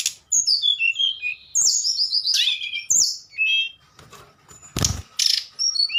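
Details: Nyuling singing by a tledekan: cascades of falling whistles and chattering notes, then quieter spaced whistles, with one loud broadband thump partway through.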